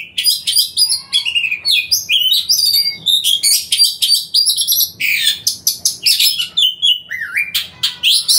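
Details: Oriental magpie-robin (kacer) in full song used as a lure to provoke other males, the bird said to spread its tail while singing; fast, varied whistles, rising and falling notes and harsh chips, packed tightly with barely a pause.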